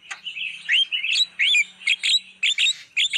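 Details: Javan myna lure sound meant to attract wild birds, a fast, loud string of slurred chirps and squeaky twittering notes with almost no gaps.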